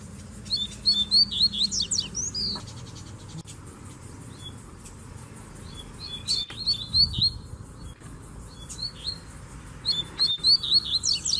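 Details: Several Rusty-collared seedeater males singing while a female is present; bursts of fast, high, twittering whistled phrases lasting about two seconds, repeated with pauses, amid faint clicks and low background noise.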